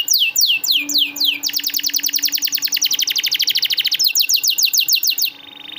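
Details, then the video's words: Canary singing to lure and train canaries that seldom sing: several loud descending whistles, a long rapid tour of sharp repeated notes, more swept whistles, then a soft steady tone. "masteran burung kenari rajin bunyi cocok buat pancingan kenari susah bunyi/macet"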